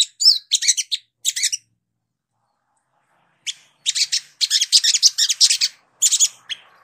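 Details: Bursts of scratchy, high sogok ontong sunbird twittering, a silent gap, then a longer run of rapid buzzy chirps, recorded clean and clear for training.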